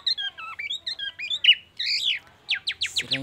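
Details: Black-naped oriole performing borrowed murai batu phrases: bright whistled slurs and downward notes, a brief pause, then a burst of fast, sharp descending squeaky notes.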